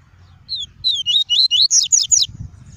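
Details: Double-collared seedeater in 'tuí tuí' song style, played to warm up a kept bird and teach chicks: one brisk phrase of about nine clear, high, slurred whistles, rising toward the end, with a low hum behind.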